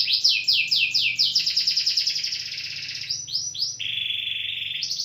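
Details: A canary sings fast descending trills that merge into a dense rattling roll, then shifts to a lower, steady whistled tour and rising notes, over a faint low hum.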